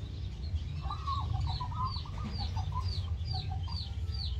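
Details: A zebra dove in an aviary gives a run of quick, soft staccato cooing notes; higher, downslurred chirps from other small birds repeat over a steady low rumble.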